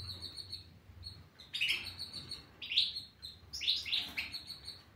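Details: European goldfinch singing in short bursts of bright, twittering high notes with rapid sweeps, separated by quiet pauses.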